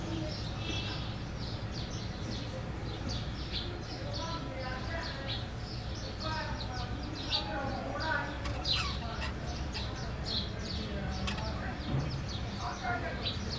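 Budgerigars chatter to each other in a continuous stream of quick, scratchy chirps and warbles.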